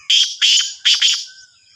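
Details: A loud, harsh Black francolin call, named locally as Sindhi kala teetar of Sahiwal. Two rasping notes come first, then a close-linked pair, the phrase lasting just over a second with a faint whistle trailing after.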